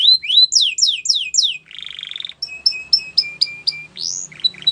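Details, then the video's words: Belgian canary singing a varied song: a run of fast descending whistled sweeps, then a buzzy sustained trill, followed by a series of sharp repeated chips and short rising notes. "Melodies Canary Bird Song | Belgian Canary Singing"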